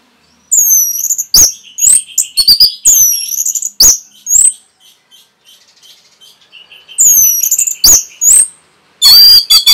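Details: Training recording of an orange-headed thrush for caged birds: sharp high downslurred whistles mixed with clicks and a steady mid-pitched chattering trill, repeated in bursts with a brief quiet gap, ending in a harsh rattling note.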